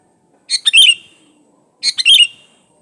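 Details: Energetic sooty-headed bulbul song, unmixed with other birds, meant to coax other bulbuls to sing: two short bubbly phrases of three or four rich chirped notes each, about 1.3 seconds apart, in silence.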